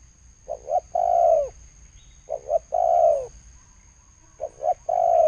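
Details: Thổ sấm style coo of a spotted dove from 2020: three phrases, each two quick low hoots followed by a drawn-out descending coo, with a faint constant high-pitched whine behind.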